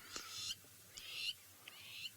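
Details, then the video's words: In the Maasai Mara, Kenya, lapwings that have mostly quietened down: one or two squawk in the background, three harsh, scratchy, high-pitched calls about half a second long, roughly every second, over a faint low rumble. "The lapwings have kind of quietened down for now, even though you can hear one or two of them squawking in the background."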